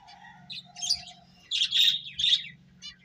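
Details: Finches eating and playing: a few separate bursts of sharp, high chirps, two louder clusters near the middle and end, with a soft lower whistle and a steady low hum between calls.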